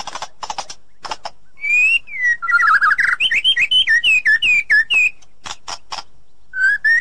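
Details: White-rumped shama in forest, a female said to be calling the male; loud clear whistled notes gliding around mid-pitch, interspersed with harsh rasping bursts before and after the phrase.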